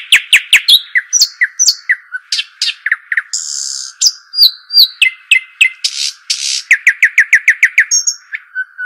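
An Arabian babbler chatters in quick bursts, mixing sharp chirps, rasping buzzes and short whistles, ending in a fast run of clipped, repeated notes.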